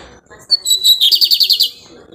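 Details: Lined seedeater, called 'bigodinho pirata', singing while building a nest: a few high, thin whistled notes, then a quick run of about nine sharp, buzzy repeated notes lasting under a second, with faint low background noise.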